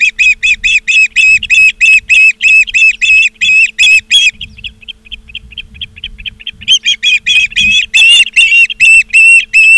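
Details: Osprey calling at its nest in Charlo, Montana, 17 August 2023, afternoon: loud, shrill chirps come in rapid runs of about three per second. A brief lull of softer peeps follows before the intense piping resumes, with a low background hum.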